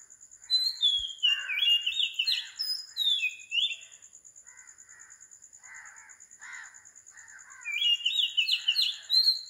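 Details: Morning song of an Oriental magpie-robin recorded at 4 am in Sri Lanka, bright descending whistles, with a lower chattering call from another bird in between and a constant high-pitched insect drone.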